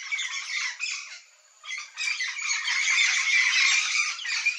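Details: Chorus of a yellow-faced parrot flock: raspy, buzzy squawks overlapping in a steady harsh chatter, with a short lull before it swells again.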